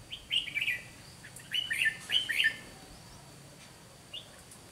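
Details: Red-whiskered bulbul decoy in a trapping session, singing fighting song: three clear bright warbled phrases in quick succession, then a single short note after a pause.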